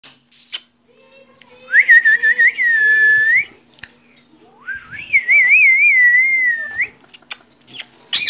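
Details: A tame green rose-ringed parakeet gives two long, clear whistled phrases, each rising and then wavering in a steady trill at mid pitch, with brief harsh squawks before and after.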